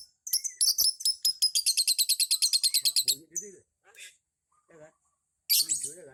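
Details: Lovebird performing its ngekek, described as decent for beginners: a long rapid chattering rattle of about twenty harsh pulses at an even fast beat, then scattered chirps, with a man speaking near the end.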